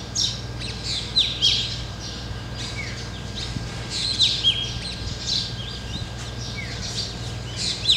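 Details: A flock of Black drongos (Dicrurus macrocercus) perched in a tree in Ranthambore jungle, Rajasthan, gives harsh, squeaky calls and sharp whistled notes, overlapping several times a second, over a low steady hum.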